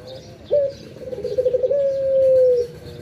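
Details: Single morning coo of a pet Barbary dove: abrupt rising start, a trembling series of pulses, then a long smooth low tone gently sinking, with soft chirps of other birds in the background.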